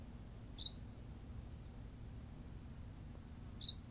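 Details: Berthelot's pipit on La Gomera in the Canary Islands gives two short, high, squeaky chirped phrases about three seconds apart, each with a quick upward flick, over a low steady background rumble.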